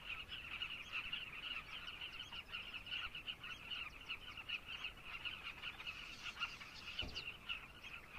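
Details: Many carmine bee-eaters in Zambia chattering with rapid burry notes in a dense chorus, interrupted near the end by a single sharp knock.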